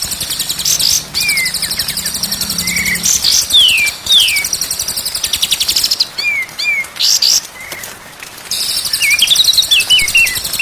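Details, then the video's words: White-rumped shama song for bird training: dense high trills interwoven with sweet downward-slurred whistles and rising-falling phrases, delivered in a lively, varied sequence with brief pauses. "MASTERAN MURAI BATU SIANG dan MALAM DI JAMIN BURUNG JADI GAGOR"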